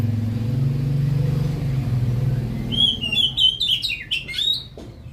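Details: Oriental magpie-robin delivering a lively run of bright whistled phrases and chirps in the second half, following a stretch of loud low engine rumble from nearby traffic.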